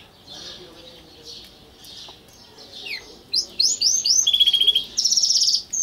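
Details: Caged pet canary singing softly at first with faint warbles, then breaking into loud, rapid rolling trills and sharp repeated chirps during the second half.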